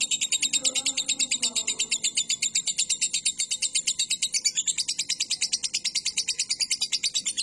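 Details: A caged lovebird keeps up a long ngekek trill, a dense, continuous high chattering with evenly pulsing beats and a slight rise in tone midway. Faint low sounds are heard early on. It is a recording for training cage birds.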